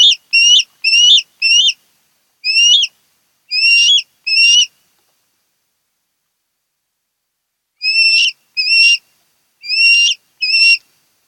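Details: Kent Island, Maryland nest osprey, part of a mated pair, 10 August 2018: bursts of short, shrill rising whistles, about seven notes in uneven groups, a silence of several seconds, then four more similar chirps.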